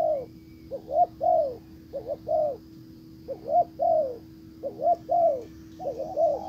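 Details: Spotted dove acting as a decoy to attract a wild one, cooing in a steady series of phrases: paired short hoots then a longer wavering coo, repeated five times in under seven seconds; faint background hum.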